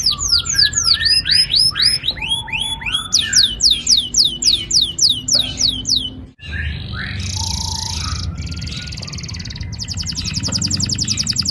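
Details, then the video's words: Canary song used as a training lure to get young canaries singing: rapid series of descending whistled sweeps repeated several per second, shifting to rolling trills and a buzzy high rattle near the end, with low background hum. "Pancingan kenari gacor NGEROL PANJANG AMPUH cocok bikin BURUNG KENARI PAUD GACOR LANGSUNG"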